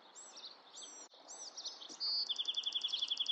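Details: Bewick's wren song: a brief steady high whistle followed by a rapid, even trill of sharp repeated notes, with other birds' arched chirps repeating in the background beforehand.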